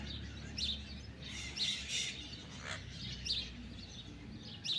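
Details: Blue-winged macaws, free-flying wild birds, perched in a tree eating pitanga fruit; short high harsh chirps repeated at irregular intervals against faint background noise.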